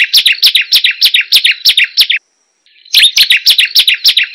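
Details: A hill prinia sings a fast run of high, sharp notes, about three a second, then pauses briefly and starts again; used as a lure to get quiet hill prinias singing.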